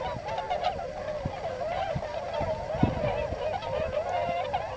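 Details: A flock of several hundred wintering tundra swans feeding on fallen rice in farmland on the Nogi plain, Yasugi, Shimane, Japan, call together: a continuous chorus of overlapping, mellow, hooting notes, with a few sharper honks standing out.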